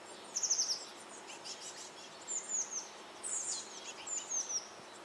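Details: Eurasian blue tit chicks in a nest box in May 2012, being fed shortly before fledging: thin, very high chirps in quick bursts of short descending notes, repeated several times with quiet gaps.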